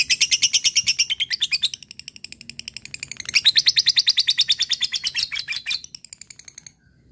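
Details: Fighter-type lovebird singing in the ngekek style while calling an opponent: long rapid high chattering trill of repeated notes, about three per second, pausing briefly mid-phrase before resuming louder and fading at the end.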